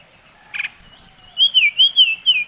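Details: Bali-type brown-chested jungle flycatcher performing a provocation song: a brief rough burst, then a high thin held tone and a series of wavering, slightly rising and falling whistles repeated about twice per second.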